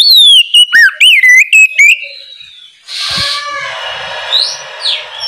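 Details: Oriental magpie-robin in full morning song, meant to call other magpie-robins into singing. A series of loud, clear, sweeping whistles repeated in quick succession, then a noisy hiss with soft, faint chirps behind it.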